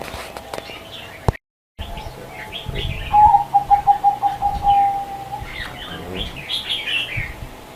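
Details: Zebra dove song: a quick string of short, even cooing notes at one pitch, running into a longer held note. Higher, twittering chirps from other small birds come before and after it.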